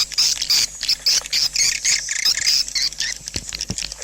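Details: Swiftlets repeat short, bright, high chirps about four times a second in a fairly even rhythm over a faint background hum.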